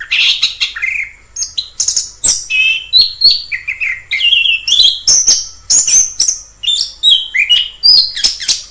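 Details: Wild orange-headed thrush with an energetic song of varied whistles, slurred notes and sharp chirps, delivered almost without pause.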